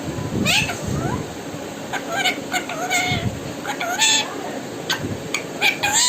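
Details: Pet parrot talking, said to be saying "mitthu": a run of short, speech-like syllables with rising and falling tonal strokes, several bursts spread across the recording, over a steady low background hum.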